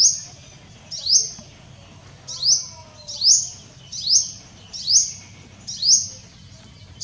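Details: Purple sunbird, recorded 6 January 2024, giving high, thin, sweeping chips about every second in uneven bursts, with a quiet background.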